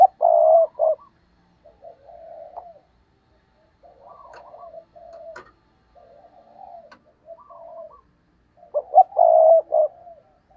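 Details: Spotted dove kept as a decoy, cooing to provoke rivals in the stuttering style called gù cà lăm: low, soft broken coos in short bursts separated by pauses, louder at start and end.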